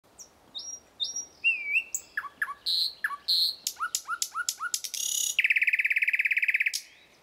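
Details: Thrush Nightingale (Luscinia luscinia) morning song: varied phrases of high pure whistles, quick clicking notes, then a loud dry rattling trill lasting over a second.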